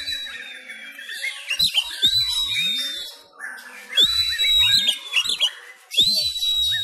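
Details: Oriental magpie-robin of the Sumatran kind, kept at home for training during Covid-19 restrictions, gives fighting-style song: long clear high whistles roughly every two seconds, separated by scratchy chatter and sweeping notes.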